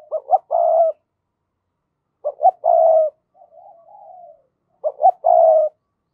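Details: Spotted dove used as a lure for wild doves repeats a short phrase three times, two quick clipped notes then a sustained mellow coo, with a soft wavering murmur between phrases.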